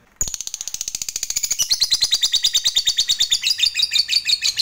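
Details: Agitated lovebird delivering long ngekek chatter as a lure: after a short silence, rapid high-pitched chirps start abruptly and run on in a steady, fast stream, growing slightly louder and buzzier.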